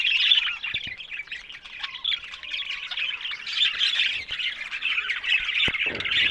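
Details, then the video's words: A steady stream of budgerigar chatter: scratchy, squawking warbles and quick chirps run together with few gaps, plus an occasional sharp click or tap. "Amazing Talking Happy Budgies Sounds"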